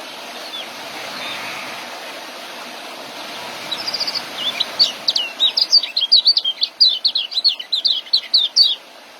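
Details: Young white-eye singing for training caged birds: after a few quiet seconds of hiss, a sharp twittering burst starts and speeds into a dense chatter of high, quick, downward-slurred notes.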